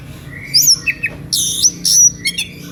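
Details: Oriental magpie-robin singing an emotional, energetic song meant to provoke other magpie-robins that hear it into singing along; varied phrases of high whistles, a long pure note and harsh buzzy bursts, with pauses between.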